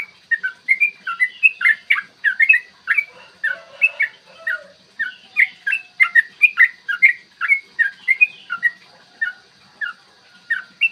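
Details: Long, fluent 'ropel' song of a yellow-vented bulbul, used to provoke bulbuls to sing and fight; clear morning recording. Ten seconds of nearly unbroken chattering, gurgled whistles varying in pitch, with one faint lower note in the background.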